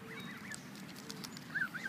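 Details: A goose that wanted attention and kept hissing, finally jumping into frame, gives short nasal, wavering honk-like sounds in quick succession at mid pitch over a low rural background hum.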